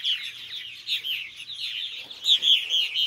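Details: Before bedtime, adult purple martins feed their young; bursts of high, gurgling chirps swell and fade, growing louder near the end.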